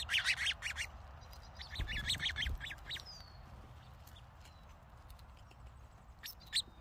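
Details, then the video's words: Songbirds in Oregon chip and twitter in quick bright bursts, then a thin whistled slur, over a soft low rumble and steady background hiss. "song Birds"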